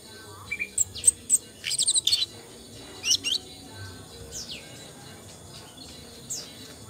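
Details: Thin, high-pitched chirps and short squeaky bursts from an Asian brown flycatcher, closely bunched early on, then a few sliding notes spaced out, over a quiet background.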